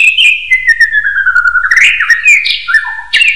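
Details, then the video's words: Common hill myna whistling to tutor other birds: a long, smooth whistle gliding slowly downward, followed by short rising and stepped whistled notes. "MASTERAN SIULAN BEO AUTO GACOR"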